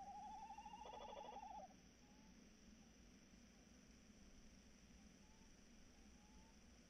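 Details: Tawny owl, evening of 3 March 2018 about 21:14: a quavering, trembling hoot opens the recording and lasts under two seconds, followed by several seconds of faint hum with a few very soft distant notes.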